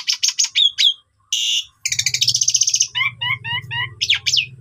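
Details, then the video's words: Asian pied starling training recording meant to provoke other starlings: varied loud song of sharp chirps, harsh buzzy bursts and repeated downslurred whistled notes in quick series, with a low steady hum underneath in the second half. "Bikin Emosi Jalak Suren Lain Langsung Bongkar Isian !! Masteran Jalak Suren Gacor Full Isian"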